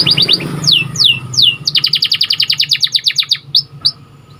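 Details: A white canary's training song: a short buzzy trill, three downward-sweeping whistles, then a fast run of repeated high chirps and a few isolated notes, with low hum beneath.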